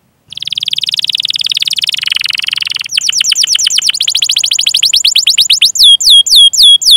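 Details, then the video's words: Long canary roll for luring other canaries: a fast, steady buzzing trill with a faint low hum beneath, shifting into rapid falling chirps and ending with slower sweeping notes. "Masteran Suara Burung Kenari Gacor Panjang cuit cuit Ngerol untuk Pancingan Kenari!"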